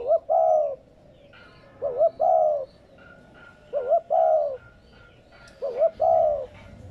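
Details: Spotted dove cooing to stimulate newly caught doves, repeated four times at steady intervals of about two seconds. Each phrase has a quick rising double note and a longer low falling coo, with faint chirps from other birds.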